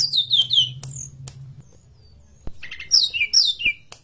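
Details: Forktail song used as a lure or master recording to get other birds singing: thin, high whistles sliding downward in short runs, a pause with scattered clicks, then more falling whistled phrases.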